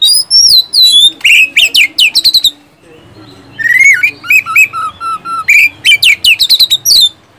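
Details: Oriental magpie-robin, song meant to stimulate silent caged birds: fast burst of whistles and harsh chips, brief pause, then rising slurs, buzzy notes and a final run of sharp calls.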